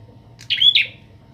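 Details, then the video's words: Young bar-winged prinia in training, its mettle provoked by a kept prinia, gives one high, scratchy, buzzy half-second phrase with a brief clear whistle in the middle, over a faint low hum. "prenjak atas gacor"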